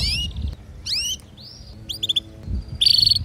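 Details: Canary female's mating call alongside a singing male at home: sparse high swept chirps, a short rising whistle, a few clipped double notes, and a final dense buzzy trill over low background hum.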